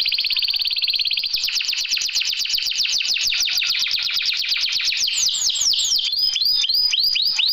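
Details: Canary singing filler song for canaries that sing little: a held buzzy tone, then a long fast rattle of repeated notes that speeds into bright looping downslurs.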